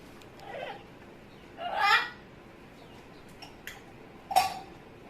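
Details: Pet Amazon parrot making funny noises indoors: a few scattered, rough, babbling squawks and short chattering bursts separated by quiet gaps, one louder harsh note near the middle and a sharp squeak near the end.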